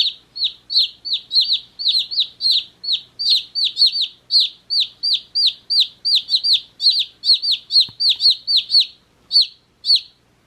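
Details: One-day-old baby chicks peep nonstop in high, sharp notes that slide downward, about three a second, several birds overlapping.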